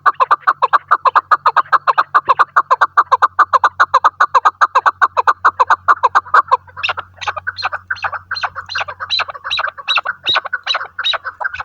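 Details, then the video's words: Hunting decoy chukar partridge calling in a rapid, even string of harsh chucking notes, about two or three each second, shifting midway into slightly sharper, more separated notes, with a low steady hum in the background. "shikari chakor ki awaaz"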